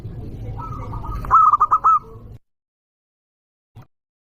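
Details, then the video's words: ['Zebra dove of a local strain, singing loudly to lure rivals: one quick phrase of five rapid clipped coos ending in a drawn-out note, then silence and a faint click.'] "Perkutut lokal gacor suara keras"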